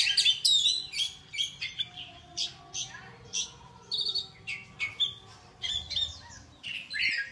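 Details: High, rapid chirping song: sharp twittered notes in quick bursts, roughly four a second, separated by short gaps, over a faint low background hum.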